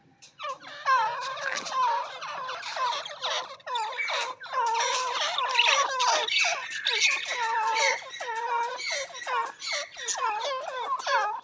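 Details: Grey francolins (Francolinus pondicerianus), several birds giving a loud, harsh, rapidly repeated series of ringing calls, overlapping into a continuous chorus throughout.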